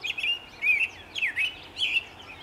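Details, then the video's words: Early-morning American robin song recorded in sunshine, 11 May 2013: four clear liquid phrases with rising and falling slurred notes, separated by brief pauses, against faint steady background noise. "American Robin singt in der Morgensonne"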